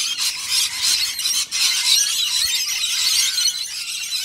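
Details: Rainbow Lorikeets crowding a bowl of warm honeyed nectar mix in Australia, a frantic feeding frenzy: unbroken high-pitched shrieking and squealing chatter from many birds at once, rapid and overlapping with no pauses.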